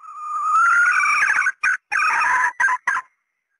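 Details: Female red junglefowl calling, a lure sound used to attract males: one long, loud, drawn-out harsh note lasting about a second and a half, then three short clipped notes in quick succession, clean background.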